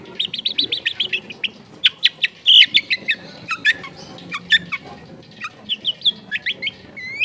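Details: Long-tailed shrike song for tutoring: a quick run of repeated high chattering notes, then mixed scratchy chips and short whistles, ending in a rising whistle.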